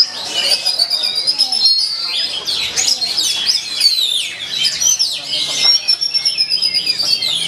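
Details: An Oriental magpie-robin competing at a songbird contest in XT Square, Yogyakarta, sings a rapid, varied song of high whistles, trills and scratchy notes without a break, with other birds chirping faintly behind.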